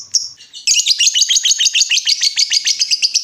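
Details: Lovebird in ngekek style, a lure to provoke other lovebirds into answering; after two brief notes a rapid unbroken chatter of sharp high chirps runs about five per second to the end.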